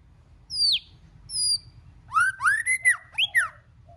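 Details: Multi-voiced white-rumped shama song played to rouse other shamas: two thin high whistles sliding downward, then a quick phrase of loud, bending, swooping whistles and a faint low note.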